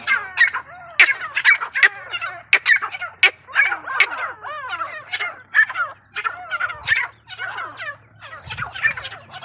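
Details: Female grey francolin (desi teetar) voice used as a hunting decoy: loud, harsh, fast-repeated rasping phrases in rapid bursts with short gaps, several overlapping call series, and a faint low hum beneath.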